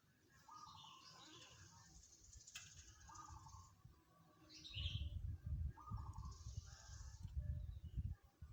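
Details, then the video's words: Zebra dove singing: short rolling, trilled cooing phrases repeated about every three seconds, with rustling and low thumping noise in the second half. "suara perkutut"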